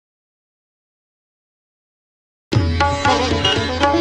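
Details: Two and a half seconds of silence, then sitar and tabla music starts abruptly, with no animal voice.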